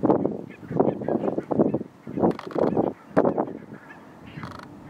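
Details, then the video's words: Thousands of Barnacle geese in a large flock at Nationaal Park Nieuw Land, Flevoland, the Netherlands; dense overlapping honking and yapping calls in bursts roughly every half second, a continuous chorus with brief quieter gaps. "Thousands of Barnacle goose in the Nationaal Park Nieuw Land in Flevoland, The Netherlands"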